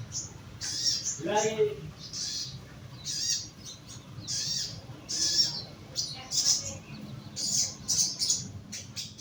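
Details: Young caged bulbul (sogon) kept in a lower cage for song therapy, giving short high chirps in irregular bursts roughly every second, with a brief human voice near the start and a low background hum.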